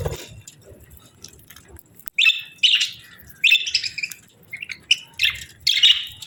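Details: Budgerigar pair chirping during the breeding season; after a quiet start, bright harsh chirps and squawky bursts come in clusters every half second to second, mostly high-pitched, with faint low background rumble.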